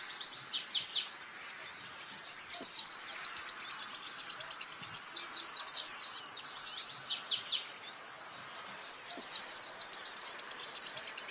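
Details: Repeated song phrases from a champion white-eye on a songbird training recording: each begins with swooping whistles and rolls into a long, rapid, even trill of high chips, separated by short pauses, three phrases in all.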